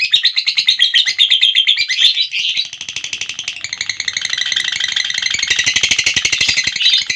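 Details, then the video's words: Long ngekek trill from a lovebird: high, buzzy chattering that shifts pace midway, then continues as a dense, fast, steady rattle for several seconds. "Burung Lovebird Ngekek Durasi Panjang"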